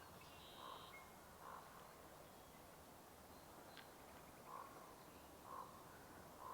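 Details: A distant Common Raven at Sargeant Bay, British Columbia, on a warm sunny early May morning gives hoarse, croaking calls about a second apart, then flies up over the trees; steady hiss and a faint thin note from another bird.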